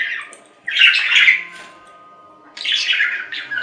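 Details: Two bursts of scratchy budgie chatter, a buzzy warbled phrase followed after a quiet second by another squawking run.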